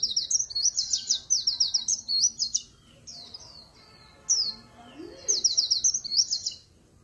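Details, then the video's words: High, fast chattering phrases from a Swinhoe's white-eye singing líu pha chòe, several twittering bursts broken by short pauses, with a faint low tone partway through. "Tiếng Chim Khuyên Líu Pha Chòe"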